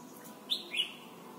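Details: Red-whiskered bulbul from Thailand, a recording meant to teach young birds to sing: two quick clear whistled notes, the second slightly lower and falling, against faint hiss.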